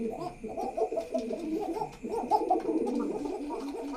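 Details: Low, rounded pigeon coos from a pigeon house, uttered in love, rising and falling in short rolling phrases, with a brief break midway before the cooing resumes.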